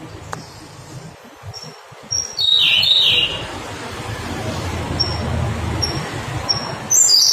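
Siberian blue robin: thin, very high single notes spaced about a second apart, with one quick lower trilled phrase, over steady background hiss and low rumble.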